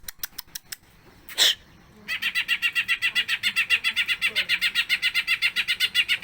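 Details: Greater green leafbird singing energetically in a long repertoire display, used as a lure to prompt other leafbirds to sing: a few sharp clicks and a brief noisy burst, then a fast, steady series of bright chattering notes, about four per second.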